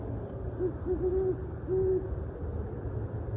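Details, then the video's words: Owl hooting, a short series of low, soft hoots followed by one longer hoot, over a steady low background hum. "spooky owl hooting"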